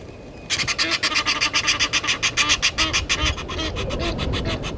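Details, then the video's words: Egyptian geese confronting intruder geese at Gowrie dam, Sabi Sand Wildtuin, South Africa; after a quiet half second, an abrupt burst of rapid raucous honks, nearly four per second, loosening and softening near the end. "Egyptian Geese having dispute with intruder Geese"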